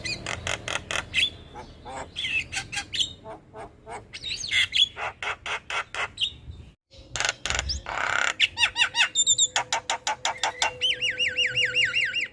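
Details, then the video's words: Javan myna in full morning song for masteran and pancingan use. Grating squawks and rattling note series give way after a short silence to quick repeated chirps and wavering, warbled whistles trilling up and down. "Jalak kebo gacor Masteran dan pancingan Burung Jalak Pagi Hari - Panggilan Jalak Kebo"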